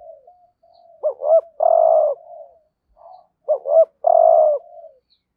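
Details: Spotted dove used as a lure bird, calling in the 'hạp bổi' style to provoke wild doves. Two loud phrases about every three seconds, each a quick paired rising note and a drawn-out vibrating coo, separated by soft low murmuring.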